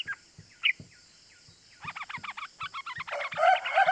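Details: Yellow-vented bulbul lure call meant to excite young and lazy bulbuls into answering; sparse notes give way to fast runs of stacked chirps that grow louder and denser toward the end, with soft low ticks beneath.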